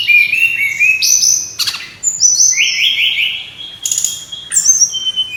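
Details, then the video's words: Clear high whistles from a brown-chested jungle flycatcher, played as a lure to get birds singing: long steady and gently falling notes alternate with brief sharp bursts, separated by short gaps. "suara ribut burung srdc /pancingan suara burung srdc biar gacorrrrr"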